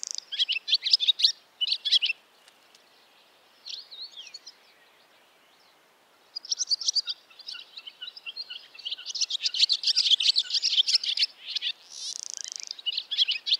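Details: Barn swallow singing in bursts of fast, scratchy high twitters separated by short pauses, finishing in a sustained buzzy rattle before the twittering resumes.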